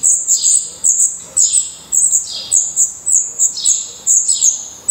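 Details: Black redstart nestlings, eyes opened and growing adult feathers, in a nest in Portugal, make quick high, sharp chirps in short clusters with brief gaps, each note dropping slightly in pitch.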